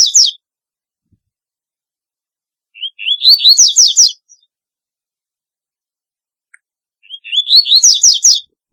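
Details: Double-collared seedeater with a very distinctive song: after the tail of one phrase, two full phrases about four seconds apart, each a few soft rising notes followed by rapid, sharp, high sweeping chips.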